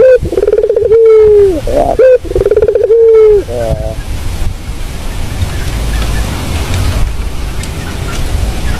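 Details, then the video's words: Puter dove cooing as a lure sound. Two pulsed, drawn-out falling coos with short clipped notes fill the first three seconds, then a soft murmur of background noise. "Inilah bunyi Suara burung puter yang sangat merdu buat pikat"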